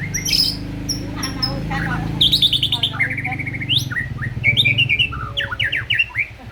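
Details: White-rumped shama singing energetically, used as a lure to make other shamas sing: loud varied phrases of sharp chirps, rising whistles and buzzy trills, with a strong low hum and rattling noise underneath.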